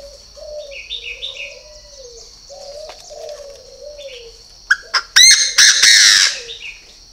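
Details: Purebred Chinese francolin calling: a few sharp clicks, then a loud, harsh, rattling burst of stacked notes. Gentle dove coos and brief high twitters come before it.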